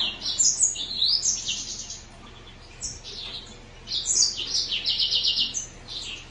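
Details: High, rapid warble from a green singer finch, opening with bright chirps and slurred whistles, dropping into a quiet pause for about two seconds, then resuming with fast buzzy trilled phrases.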